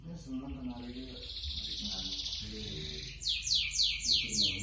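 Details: Canary singing in full voice, used to prompt other canaries to start singing: a sustained high buzzy trill for three seconds, then four loud descending sweeping phrases; low human voices murmur underneath.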